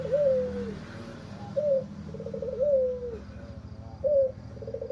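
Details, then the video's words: Raspy-voiced white albino Barbary dove with red eyes cooing in repeated sequences of a long descending note, a short clipped coo and a husky rolling trill, roughly every two and a half seconds. "BURUNG PUTER PUTIH ALBINO MATA MERAH. SUARA SERAK BIKIN BURUNG LAIN SOAK."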